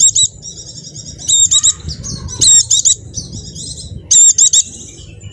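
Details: High, thin white-eye twittering from a Javan bird, meant to coax silent caged white-eyes into singing, punctuated by three loud clusters of rapid sharp chirps over five seconds.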